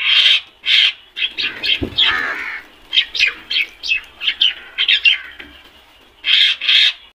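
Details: A flock of black crows calling almost continuously, with short harsh squawks overlapping in a busy run of notes and a louder pair of calls at the end.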